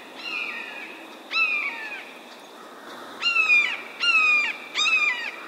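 A Red-shouldered Hawk gives five loud, harsh, down-slurred key-ear screams, each about half a second long, in quick succession.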